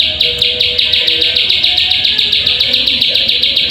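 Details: Plain prinia, played as a lure to make birds sing: a fast, steady series of high, buzzy, chirping notes, about three to four per second, continuing without pause over a faint low background hum.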